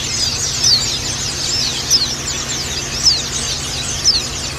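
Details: Female white-eye call layered over a crowded chorus of caged white-eyes, played as therapy to make males open their beaks and sing; dense high twittering with sharp descending chirps recurring about once a second.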